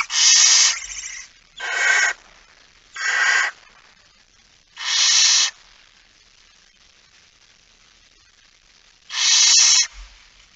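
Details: Barn owl at night, 23:55 on 17 September 2019, as a male arrives carrying a mouse: five loud, harsh, broadband hissing screeches, each under a second, in a group early on, then a pause before a last one.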